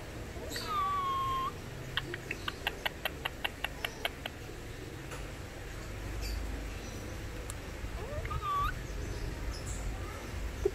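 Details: Pet Indian ringneck parakeet that imitates words in two languages, including 'peekaboo'; gives a few rising then falling whistled squawks, with a run of sharp regular clicks and low room rumble.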